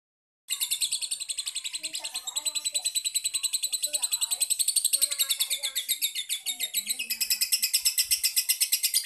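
A lovebird chatters nonstop in shrill, high chirps, about eight a second, with faint voices murmuring underneath.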